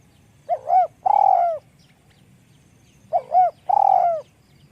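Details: Spotted dove with a light, small-voiced call: two phrases, each two quick rising coos followed by a longer, fuller coo that slides downward, the phrases about two and a half seconds apart; faint low rumble underneath.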